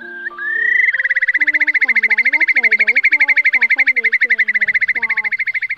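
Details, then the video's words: Eurasian curlew lure for night net-trapping during the August 2023 migration: a rising whistle, then a long, fast bubbling trill of about ten high pulses a second, over low gliding inserted music. "Tiếng Choắt Mỏ Cong Lớn , Móc Còng Lớn"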